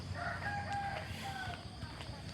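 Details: A neighbour's domestic rooster in Thailand crows on a walk on the morning of Friday 3 November 2023, near 7:00 at sunrise: a drawn-out, wavering crow in two sustained phrases, over steady low rumble and a faint high hum.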